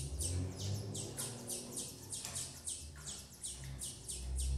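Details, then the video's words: Female Double-collared seedeater feeding her chicks at a breeder's aviary; high, downward-sweeping chirps repeat quickly, about three per second, over a steady low rumble of background noise. "FEMEA DE COLEIRO BURGUESINHA TRATANDO SEUS FILHOTES"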